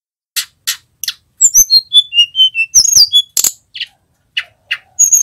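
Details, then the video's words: Flowerpecker known as tledekan gunung, a vocal male: repeated buzzy chips, then a run of descending whistled notes and high slurs, with sharp clicks throughout. "Suara tledekan gunung gacor"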